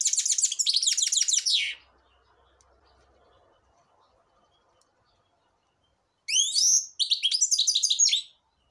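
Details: Song of a grey-crowned goldfinch, given in two bursts of quick, high twittering separated by several seconds of quiet. Each burst is a run of tinny chirps and descending slurred notes with a scratchy texture.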